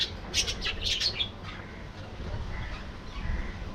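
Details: Budgerigars in an aviary colony: a quick burst of harsh, scratchy chirps in the first second and a half, then only soft distant chatter over a low background rumble.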